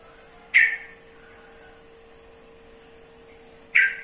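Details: Two loud, rasping squawks from a yellow-vented bulbul, about three seconds apart. Each is a sharp burst that decays quickly, with a faint constant hum in between.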